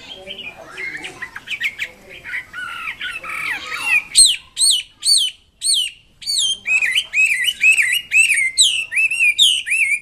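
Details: Red-billed blue magpie singing vigorously: low, rambling chatter and warbles at first, then a brief pause, followed by loud, clear whistles that sweep downward, repeated rapidly with slight changes in pitch and shape.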